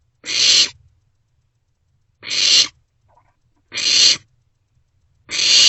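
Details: Young barn owls in an owl box at night, 27 March 2024, passing prey between them; four evenly harsh, broadband hisses about one and a half seconds apart.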